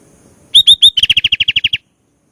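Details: Loud, close Sooty-headed bulbul: three strong upslurred whistles, then about eleven crisp notes delivered quickly and evenly, with the phrase ending cleanly.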